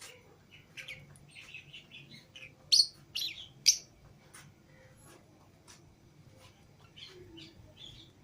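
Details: Lovebirds out of the cage with others, green Fischer's and lutino pairs kept as pets, chatter in soft high twitters broken by three loud, sharp shrieks near the middle, then quieter chirps.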